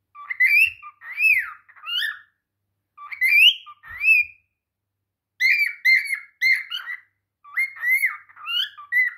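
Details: Cockatiel (Nymphicus hollandicus) singing to a mirror: a run of bright, warbling whistles, some rising and falling, with short pauses between phrases.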